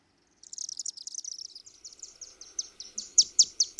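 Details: Chimney Swifts on the wing over downtown Osakis, Minnesota, in June: rapid thin, high twittering that slows into separate sharp chips, the last few louder and spaced about a quarter second apart.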